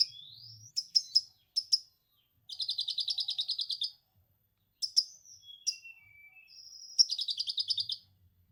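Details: Orange-headed thrush singing material full of lovebird ngekek: bursts of fast, buzzy rattling chatter alternating with sharp high whistles, short slurred notes and brief pauses, no other sounds.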